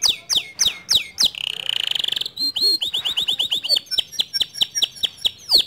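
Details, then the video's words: A male white canary in standard long song mixes loud downslurred whistles, a short buzzy roll, a couple of low notes and a rapid string of sharp chips. "Kenari Jantan Putih Kicau standart panjang"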